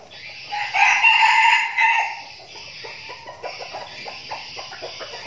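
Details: One strained, rasping crow lasting over a second from a decoy red junglefowl in a flock being trained for forest outings in Binh Phuoc, Vietnam, followed by faint clicks and clucks.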